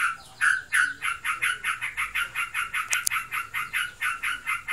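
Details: A sooty-headed bulbul kept as a pet, described as in breeding condition, opens with a few louder harsh notes and then runs into a steady ngebren chatter, with one sharp click partway through.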